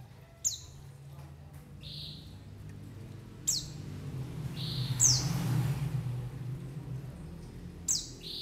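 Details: White-eye calls used as a lure for bird trapping: thin, high, descending chirps, several followed by brief flat whistles, spaced a few seconds apart over a noticeable low rumbling background.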